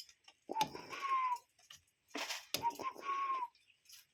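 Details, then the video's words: Wild cuckoo heard in nature giving two whistled calls, each a quick short note and then a longer level tone easing downward, separated by a burst of rustling noise. "Relaxing Cuckoo Bird Sound in Nature"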